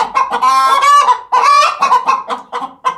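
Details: Chicken producing a weird noise, a rapid run of loud, harsh, strained squawks and clucks, one drawn-out nasal cry in the middle, delivered in quick succession.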